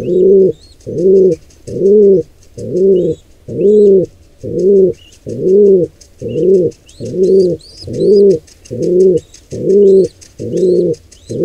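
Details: Long series of a dozen low, hollow pigeon coos, evenly spaced about once a second, as an intruder pair attacks a wild nestling; thin high squeaks and rustling above.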